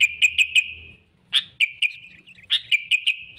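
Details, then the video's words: Sooty-headed bulbul calling to lure rivals into a trap: quick runs of three or four bright chirps with drawn-out ringing tails, separated by brief silences. "suara kutilang gacor cari musuh‼️ampuh untuk pikat dan pancingan"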